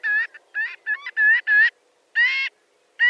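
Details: Marbled godwit, a large shorebird, giving loud nasal harmonic calls in uneven bursts, several quick notes then a longer squawk, with a short pause between groups.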